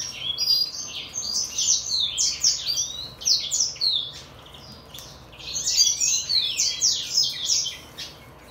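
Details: A 2022 hybrid finch (brimstone canary x greenfinch) sings two bursts of rapid, high twittering and buzzy trilled notes, with a brief pause between phrases.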